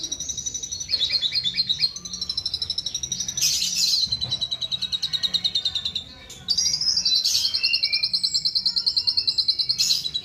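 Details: Asian pied starling copying the songs of other bird species: fast high trills and chattering bursts, a harsh rasping burst near four seconds, a brief pause, then a long sustained rapid trill.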